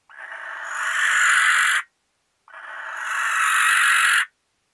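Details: A barn owl pair in a nest box in Recke, Germany, on 13 May 2021: two long, hissing screeches, each nearly two seconds and swelling in loudness, separated by a short silence.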